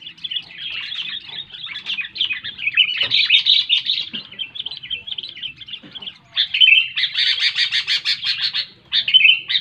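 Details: Sooty-headed bulbul, loud song used to prompt lazy bulbuls: continuous chattering warbles, a short lull, then a strong run of rapid even pulses and a final bubbly phrase.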